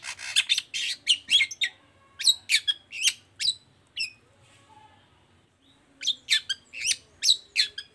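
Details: A long-tailed shrike sings in bursts to provoke other shrikes into song: quick scratchy chattering phrases, a near-silent pause of about two seconds, then another lively burst.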